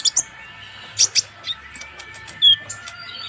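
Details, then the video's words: Van Hasselt's sunbird (Leptocoma sperata), called konin, used as a master singer for tutoring birds: a few spaced, very high thin chirps, a short paired twitter, then a clear rising whistle near the end. "KONIN GACOR COCOK UNTUK MASTERAN"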